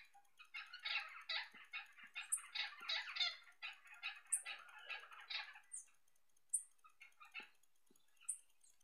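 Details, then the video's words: Maritaca parrots filmed in a home garden on 3 May 2016: dense bursts of harsh, raspy squawks and chatter through the first six seconds, then scattered shorter squawks; faint high chirps from other birds above. "Hoje eu consegui filmar as maritacas no meu jardim!!!"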